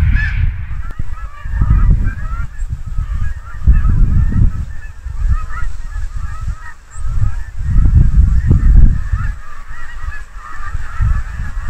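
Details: A large mixed flock of Canada and snow geese migrating in Quebec, October 2022, as night frosts begin, honks and yelps continuously, a dense overlapping chorus over heavy low rumbling wind or handling noise.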